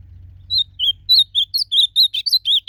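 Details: Blue-black grosbeak singing in the wild during a song contest: a loud series of clear, slurred whistled notes, rising and falling, about ten phrases in under three seconds over faint low rumble.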